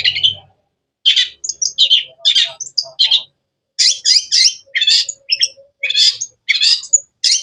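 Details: Long-tailed shrike (cendet) giving sharp, varied chirping song: a buzzy note, then after a pause dense bursts of high, scratchy chirps and short whistles in quick succession, with a brief low rumble at the start.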